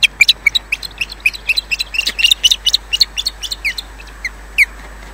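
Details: An osprey named Odin at the RSPB Loch Garten nest lands defensively, then leaves, giving a rapid run of high, thin whistled chirps, about four a second, some rising and some falling, then slowing toward the end.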